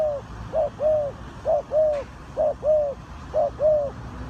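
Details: Spotted dove, Ninh Thuận, in a bird-trapping setting: regular three-part coo phrases, a short note followed by a longer arched one, repeated roughly once a second with faint background rumble.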